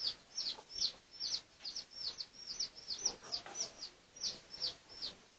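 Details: A steady string of clear, high-pitched falling peeps from Pradu-coloured red junglefowl in a research recording of 18 August 2023, spaced about a third of a second apart, in quiet surroundings.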